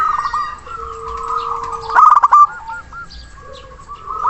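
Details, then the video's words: Local zebra dove calling a rival with strong voice and long breath; rolling coos and a steady low drawn note, then one loud stuttering coo burst followed by fading beaded notes. "Perkutut Lokal Gacor Suara besar Nafas Tua memanggil Lawan"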